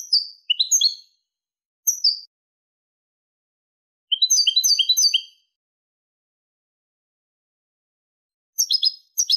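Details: European goldfinch, 'limpio' clean song style, 2023: several high twittering phrases, one a longer rapid trill of tinkling notes, separated by gaps of silence.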